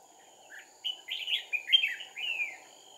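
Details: Red-whiskered bulbul used in trapping alongside a second decoy, dated 2/4/2019, giving one continuous warbling phrase of chirpy, slurred whistles lasting about two seconds, loudest in the middle, with a thin steady tone in the background.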